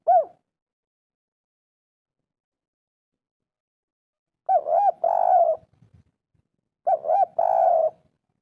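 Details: Spotted dove in 'kuk 3' style, a lure to coax quiet birds: a single coo, long silence, then two phrases each of two arched hoots followed by a long, rough-edged purring note.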